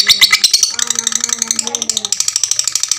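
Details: Fighter lovebird giving a long ngekek, used as a master for all lovebird types; fast rattling chatter of harsh, high chirps pulsing several times a second, with lower tonal squeaks and a whistled note underneath.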